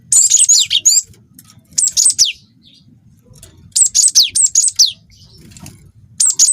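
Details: Juvenile wingko cinereous tit in full song for luring other birds into singing: high thin whistled phrases of about four notes, the final note slurring steeply down, repeated every two seconds or so.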